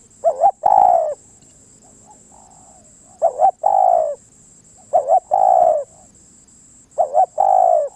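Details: Spotted dove song with four phrases, each a quick doubled coo followed by a drawn-out falling coo. Phrases come roughly every two seconds with quiet gaps between them, over a constant faint high-pitched electronic whine.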